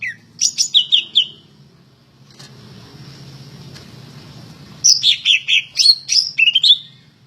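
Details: Greater green leafbird in full song, kept for singing contests: a short rapid series of clear whistles, a quiet stretch with soft hiss, then a lively run of about ten bright, slurred chirping notes.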